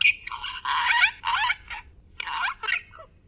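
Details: Talking amazon parrot, a competitor in a Polish talking-bird championship, practising Polish words in a yard: a few raspy, speech-like phrases in quick bursts with short pauses, mimicking human words.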